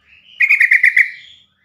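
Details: Yellow-vented bulbul calling in a rapid series of six loud, bright, chattering notes at steady pitch, a call that prompts other caged bulbuls to answer and sing. The background is clean and silent.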